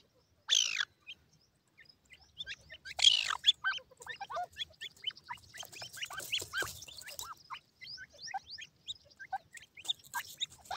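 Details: Grey francolin chicks, white in colour, playing with feed: two loud bursts of scratchy noise, then a dense chatter of short high peeps and clicks continuing to the end.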